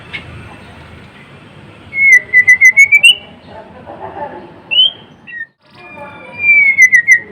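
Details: White-rumped shama (murai batu, murai blorok), a caged songbird, sings long thin whistles sliding down, then a run of quick repeated notes, brief clear whistled phrases, and another falling whistle trailing into rapid pulses.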